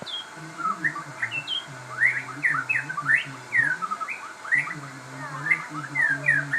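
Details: Crossbred shama in full, rich song: loud, rapid upward-swept whistles repeated in lively clusters, with a faint low hum beneath.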